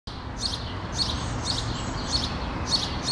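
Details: Common starling fledglings on a tree branch in Helsinki, Finland, June 2013, beg as the parent approaches to feed them: harsh, raspy high bursts repeated roughly twice a second over a steady low background rumble.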